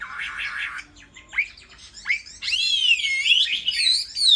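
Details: Chinese hwamei, a kept bird, giving a buzzy burst followed by two short upswept whistles, then long, wavering, rich whistled notes that bend up and down.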